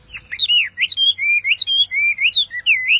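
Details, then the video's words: A Chinese hwamei sings a rich, unbroken run of loud, clear whistles that slur up and down, with quick varied phrases and a faint low hum beneath. "Họa Mi Hót Cực Căng"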